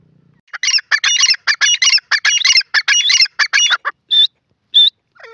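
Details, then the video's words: Grey francolin, also called teetar, giving a rapid, rattling series of harsh, stacked notes that ends in a few spaced, piercing high calls. "grey francolin call pheasant birds awaaz"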